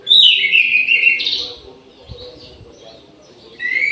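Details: At midday inside an aviary, an orange-headed thrush opens with a loud, rich warbled phrase, falls quiet, then starts again with a short whistled fragment.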